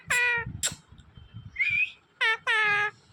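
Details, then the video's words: Pet green parrot said to speak human words: several loud, nasal, harmonic calls in close succession, some short and falling, one rising whistled note in the middle, then a longer drawn-out call, over soft low background noise. "smart green Parrot Talking Natural Sounds"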